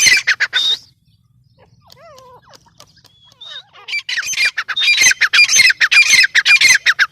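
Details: Grey francolin calling in harsh, rapidly repeated squawks, about two per second, that break off into a quiet spell with soft wavering notes before resuming as a loud, steady run of rasping calls.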